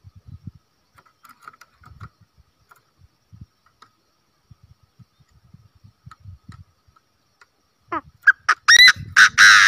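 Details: A Chinese francolin kept as a decoy bird bursts into loud, harsh, rising calls near the end after quiet knocks and faint tones, ending in a strained, clipped phrase.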